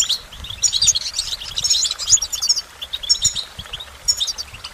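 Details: Twittering goldfinch song with dense, bright trilled phrases in the first half, followed by shorter chirpy snatches and small tinkling flourishes.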